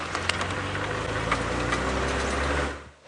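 A vehicle engine runs steadily with a low rumble and rattling knocks on a sunrise safari drive, then fades out near the end.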